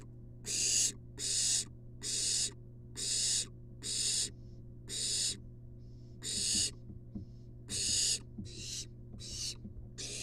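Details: Barn owl chick, wild, in a nest box, begging while its mother brings a long-tailed rat: a steady series of about eleven harsh, breathy hissing screeches, each roughly a third of a second, nearly evenly spaced, with a faint background hum.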